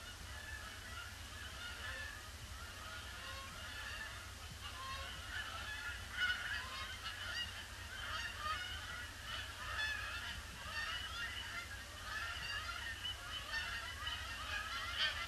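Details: Large flock of Canada geese circling a pond before landing on a gloomy, grey Boxing Day, 26 December 2015; overlapping nasal honks sound continuously, many birds calling at once, over a low steady rumble.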